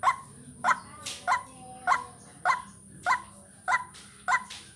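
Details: Lure recording of a white-breasted waterhen for vocal training. Eight harsh, clipped croaking notes come in an even rhythm roughly every 0.6 seconds, with a brief hiss partway through and a constant thin high tone behind.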